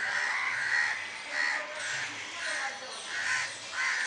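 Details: Many crows perched in a tree, some flying, giving harsh overlapping caws in loose bursts over a steady hiss of background noise.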